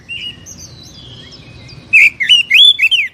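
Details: Oriental magpie-robin singing, a recording for coaxing a caged bird into song: soft distant whistles at first, then a loud burst of looping, warbled notes and sharp chirps at the end.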